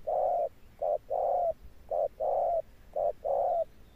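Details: Spotted dove, wild-caught, delivering deep 'thunder' coos with stamping: a long hoot followed by evenly spaced short-long pairs of soft, low, hollow notes.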